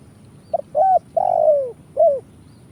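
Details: Spotted dove phrase used to lure birds for trapping: a faint double pip, a hooked coo, a long sliding, downward coo, then a final curved coo, low and mellow over faint hum.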